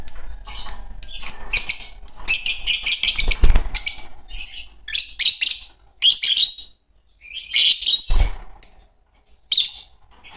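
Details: Pair of green Fischer's lovebirds singing and chirping: dense runs of shrill, buzzy, high chirps in quick bursts, with brief pauses and a couple of low thumps.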